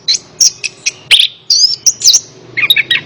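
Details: Orange-headed thrush, known locally as anis kembang, singing in a training recording for a lazy bird: bright high whistles, one long wavering phrase, then a cluster of lower warbled notes.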